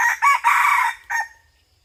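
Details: Crow of a red junglefowl, filmed while hunting with a decoy in 2022-2023: a short opening note, a long harsh sustained middle section, and a brief clipped tail, all loud and close, with the background nearly silent.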